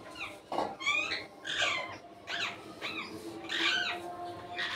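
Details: While eating guava, an Indian ringneck parakeet utters rasping, down-slurred squawks in bursts about every half to one second, mixed with softer chatter.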